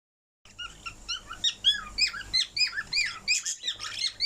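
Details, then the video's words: A parrot sings a quick run of bright, squeaky whistles and warbling chirps, about three notes a second, some rising and some falling; recorded 17 September 2023. "Parrot Singing"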